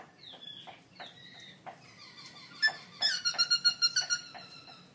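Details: Caged black-throated laughingthrush, an award-winning contest singer, recorded October 2016; varied whistled phrases with clicks, ending in a fast rhythmic series of bright, harmonic notes.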